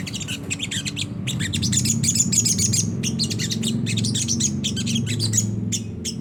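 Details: Ngriwik kasar, a rough twittering song of the Sunda whistling thrush used to draw song from caged birds; dense high chirps and trills continue throughout over a noticeable low rumble.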